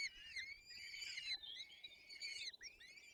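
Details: Nestling peregrine falcons begging while fed at their nest in Poland's Barycz Valley, April 2024: high, harsh, quavering cries run together almost without pause, with a brief gap near the end before calling resumes.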